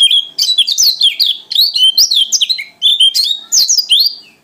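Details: Indonesian white-eye from Lombok/NTT, singing gacor ngalas, delivers a continuous, energetic medley. Sharp high chips and looping whistled slurs repeat in short bursts several times a second against a quiet background.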